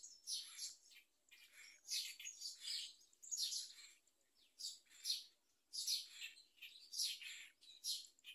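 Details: Myna chick being fed a large blue caterpillar by its parent; high, hissy rasping bursts repeated in quick succession, roughly two per second, with brief pauses between.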